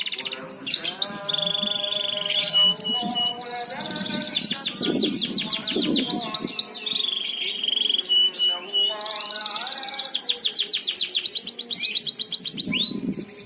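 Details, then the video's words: Song of a canary, played to coax other canaries into full, frequent singing: dense high rolling trills and rapid repeated notes alternating with sustained buzzy passages, while fainter lower tonal lines run underneath. "pancingan suara kenari agar cepat gacor"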